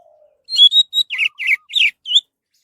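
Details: Song of an orange-headed thrush, meant to lure other birds into singing: a quick string of about seven notes, clear whistles giving way to buzzy, falling slurs, with a faint low tone at the start.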